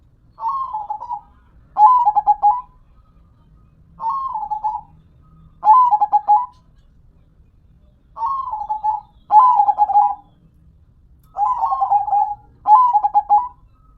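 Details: Repeated song phrases from a zebda dove, known locally as perkutut, about sixteen per minute. Soft, mellow coos break into quick pulsing stutters and then slide down, one phrase closely followed by the next, in a calm indoor setting.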